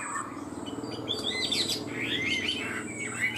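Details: Vietnamese pet Chinese hwamei in high-pitched 'cao cầu' singing: bright, sharp chirped and slurred notes come in bursts above a loud low humming background drone.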